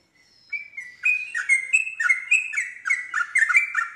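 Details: Yellow-vented bulbul song used to prompt other bulbuls to answer, a bubbly run of liquid warbled phrases, each note dipping and rising in quick irregular succession for several seconds.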